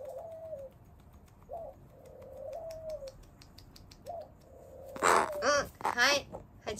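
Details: A captive rescued carrion crow with leg and wing disabilities, filmed 13 September 2022, gives several soft, low, drawn-out tonal notes, then a burst of loud, harsh, hoarse caws near the end.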